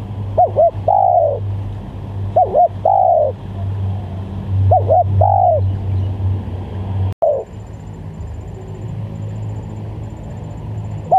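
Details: Spotted dove calls used to lure doves: three phrases of two short coos and a falling longer coo, then an abrupt cut to a quieter stretch with a faint final coo, low rumble throughout.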